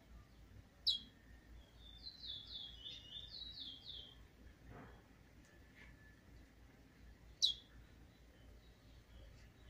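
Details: Young brown Trinidad bullfinch starting to sing, recorded 7 November 2019; a faint, quick run of high, slurred, descending notes, then scattered soft chips and two sharp high clicks over steady background hiss.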